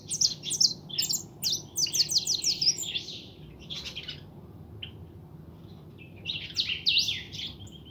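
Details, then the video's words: A young European goldfinch known as a pintón, kept at home, sings quick, high, jangling twitter phrases in two main bursts separated by a few isolated chirps, over a quiet low hum. "Mi jilguero pinton"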